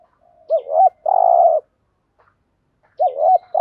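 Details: Spotted dove cooing as a lure for wild doves. A looping double note leads into a long, sustained low coo, and the phrase begins again after a pause. Faint chirps are heard at the edges.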